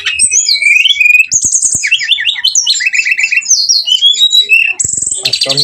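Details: Brown-chested jungle flycatcher giving a lure song to provoke aggression: continuous fast phrases of zigzag whistles, repeated hooked notes and rattling trills, closing with a harsh buzzy burst.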